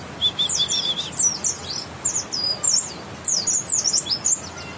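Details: West Javan white-eye of the bukstoni kind, grey-white breast with a yellow line, singing a twittering run of high, scratchy chirps, opening with a short thin trill.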